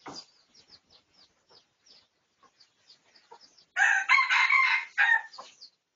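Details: From research footage of a pradu-coloured red junglefowl, 18 August 2023: small birds chirp softly for several seconds, then a loud crow with a broken second phrase lasts nearly two seconds.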